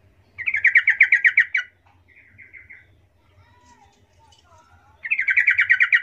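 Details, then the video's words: Yellow-vented bulbul call used as a lure to make other bulbuls respond: two bursts of fast, bubbly chattering notes, each about a second long, with softer warbled phrases between them over a faint low hum. "Di jamin langsung Nyaut trucukan Lain mendengar suara pancingan trucukan suara empuk ini"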